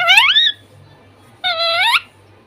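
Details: Talking parrot kept at home making two sustained, harmonic speech-like calls, the first rising, the second level then lifting at the end.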